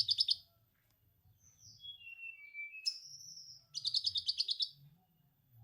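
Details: Konin, or orange-headed thrush, with a lovebird ngekek repertoire used to stimulate untrained birds. A brief chatter gives way to stepwise falling whistles, a sharp upslurred note, then a long rapid buzzy rattle. A low hum is present.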